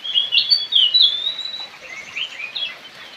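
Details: Javan cochoa giving a quick run of slurred, high whistled notes that rise and fall, strongest in the first second and trailing off softer, with faint steady background hiss.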